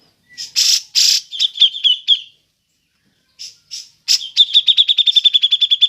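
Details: Cucak jenggot (grey-cheeked bulbul) making its ngepik call to lure other birds: loud harsh rasps and a few chirps, a short quiet gap, then a fast, steady train of sharp repeated chirps to the end.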